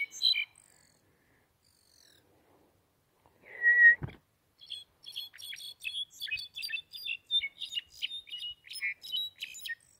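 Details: Kept European goldfinch in song: a couple of chirps and a short whistled squeak, then a long run of fast, bright twittering, with high tinkling notes packed closely together.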